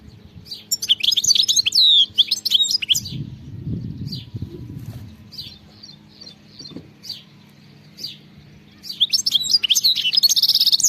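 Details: Wild European goldfinch giving twittering song phrases, with sharp high chirps at the start, a quieter stretch of scattered single notes and a low rumble, then a lively buzzy twitter at the end.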